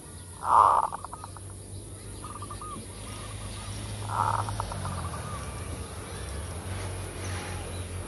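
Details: Zebra dove full kerot lure song: a loud rough burst with quick trailing pulses, a faint run of coos, then a second softer burst and pulses, over steady low rumble.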